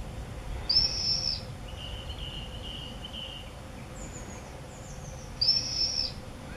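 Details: Common swifts at the entrance holes of observation nest boxes in a house in Beek-Ubbergen, Netherlands, filmed 8 June 2014; two shrill, buzzy, high screams about half a second long, four seconds apart, with faint chirps between them.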